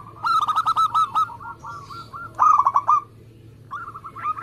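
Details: Lively local zebra dove: a fast string of staccato coos running into a loud rolling burst, then a softer trilled phrase after a brief pause.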